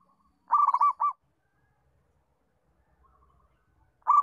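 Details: Local zebra dove song intended for training young doves: one bubbling phrase of quick, stuttering coos ending in a separate note, then silence before another phrase begins at the end.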